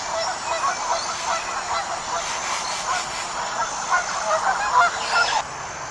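A flock of wild geese honks in a dense, overlapping chorus, many nasal calls a second, which ends abruptly near the close.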